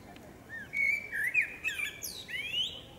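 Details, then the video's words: A female blackbird sings in a forest, giving a series of smooth, rising and falling whistled notes, broken by brief high chirps and ending on an upward-sweeping squeak. "Dźwięk śpiewu kosa. Samica kosa śpiewa. Kos śpiewa w lesie. sounds and singing of the blackbird"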